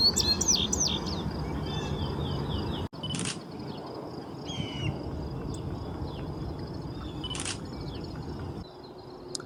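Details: A male Indigo Bunting sings on its breeding territory in scrubby power-line-cut habitat at Horn Pond, eastern Massachusetts, in mid-summer: a quick series of high, sliding paired notes, then fainter notes, with camera shutter clicks and low rumble.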